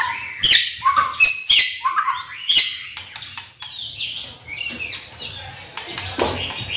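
A white-rumped shama sings rich, varied phrases of clear whistles, sharp chips and fluty notes, delivered in quick bursts with brief pauses between.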